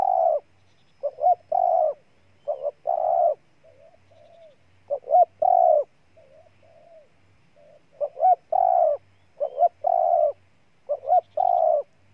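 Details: Spotted dove from Ninh Thuận province, Vietnam, cooing steadily: clusters of two or three short notes ending in a drawn, mellow coo, interspersed with quiet, lower, slurred coos. No other sounds.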